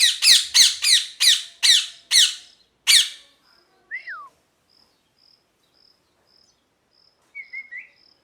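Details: Parrot calls: seven loud, harsh screeches repeated roughly every half second, then quieter faint ticks and a couple of soft falling and wavering whistles.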